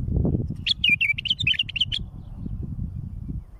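A bulbul gives a quick warbled phrase of bright, bubbling notes lasting about a second and a half, over a steady low rumble of background noise.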